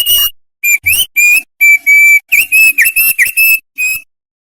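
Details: Mountain white-eye (opior) singing actively: a rapid run of short, clear whistled notes held near one high pitch, some slurred upward, given in quick bursts for about four seconds, with no other sounds.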